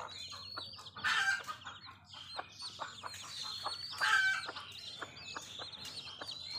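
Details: Village mother hen with her brood of chicks: a constant stream of high, thin peeps from many chicks, a few lower clucks mixed in, and a low background hum.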